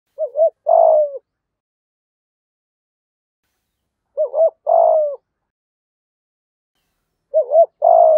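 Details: Decoy spotted dove singing in the 'giọng thổ' style, the full song. Three phrases spaced about three and a half seconds apart, each a quick double coo followed by a long, throaty, slowly falling coo, against silence.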